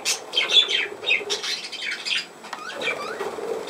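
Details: Budgerigar chirping and warbling in fast high bursts, followed by a few short upward-sweeping whistles near the end.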